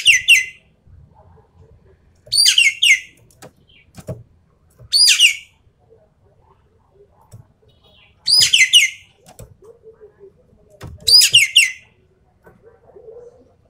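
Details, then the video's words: Javan pied starling song in full tembakan style, five separate bursts of loud, grating, descending notes, each in a quick group of two or three, spaced about three seconds apart, with light knocking sounds between. "BURUNG EKEK KELING SUARA FULL TEMBAKAN"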